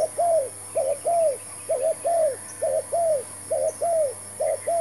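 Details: Decoy spotted dove calling steadily while trapping with a new bird and trap: five evenly spaced low coo phrases, each a short clipped note followed by a longer arched coo, about one per second, over a constant high hum.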